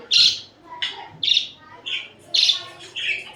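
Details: Pet budgerigars cuddling and fighting, uttering six loud, harsh squawky chirps at uneven intervals of about half a second.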